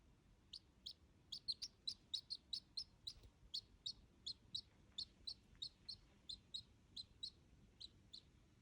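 A duckling gives high, thin peeps in a steady run, several each second.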